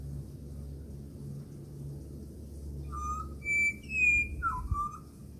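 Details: Australian pied butcherbird that often visits a house. Near silence, then a short burst of pure whistled notes: a mid-pitched note, a long high clear tone, then a dipping, falling whistle, over steady low hum.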